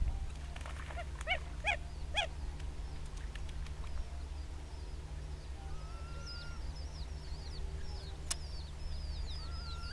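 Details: Red-gartered coots in a pitched battle on Laguna Nímez, El Calafate, Patagonia, Argentina give three or four short, nasal honking calls over a steady low rumble; thin high chirps of small birds follow.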